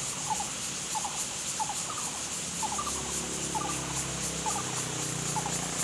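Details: A Lesser coucal (Centropus bengalensis) gives short, hollow, bubbling note clusters about once a second over a steady high hiss of insects.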